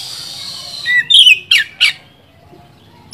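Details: Oriental magpie-robin song used to provoke another bird: a falling whistle followed by three sharp, bright, slurred notes in quick succession, then a pause and one last note.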